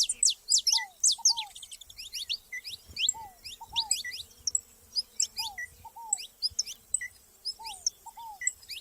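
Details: Saffron finches together in nature: dense bursts of bright, high chirps and sharp upslurred notes, with a lower paired downslurred whistle repeating every couple of seconds in the background.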